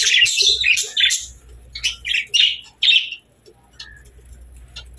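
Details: Pet budgerigars chirping: a quick run of bright, sharp chirps and short warbled notes in the first three seconds, then a quiet pause with a few faint distant peeps near the end.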